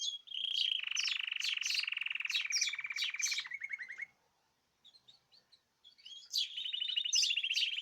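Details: Caged birds in group song, dated 14 March 2026: a long, fast buzzy trill with sharp chirps over it, a near-silent pause with a few faint notes, then the trilling and chirping resume.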